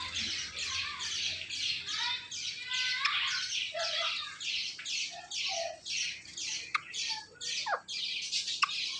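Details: Indian ringneck parrot watching its own videos produces a steady run of harsh, noisy squawks, rapid bursts repeating about twice a second, with a few sharp clicks near the end.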